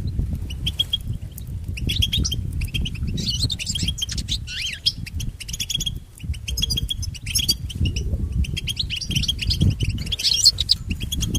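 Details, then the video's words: European goldfinch song used to train pet goldfinches: a continuous run of rapid, liquid twittering and chattered notes, some buzzy, with brief pauses, all over a steady low rumbling background noise. "Listen to Goldfinch's most famous motivations for training and education"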